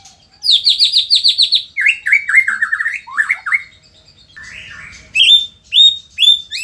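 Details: White-rumped shama from Indonesia in full song: a fast series of high buzzy notes, then descending slurred chattering runs, a short pause with rough scratchy notes, and loud clear rising whistles repeated near the end.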